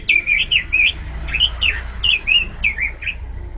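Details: Robin singing persistently with a loud, varied voice: rapid whistled warbling phrases, rising and falling notes in quick bursts with short pauses between them, over a low background hum.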